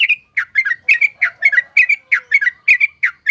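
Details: Yellow-vented bulbul lure song for trapping, with punchy bubbling double chirps repeated at a steady pace and a faint low whistle underneath.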